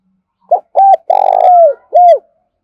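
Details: Spotted dove used as a decoy to call wild birds, giving one close, loud phrase: a short note, a clipped double note, a long burry coo sliding downward, and a final rounded coo.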